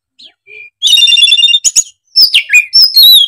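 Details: Agitated oriental magpie-robin (kacer) pouring out its learned phrases: faint thin notes, then a rapid rattling trill of stacked tones, sharp clicks and loud swooping whistles.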